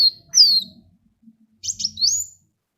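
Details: Sunbird song used to lure other birds to sing: two bursts of thin, very high, downslurred and upswept whistled notes with a brief twitter, separated by a second of quiet and a faint low rumble.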